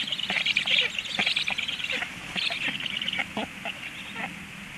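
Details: Storklets begging while the female stork feeds them at 15:06, giving dense bursts of high, squeaky chirps and rasping notes in quick clusters, fading toward the end, over a steady background hiss.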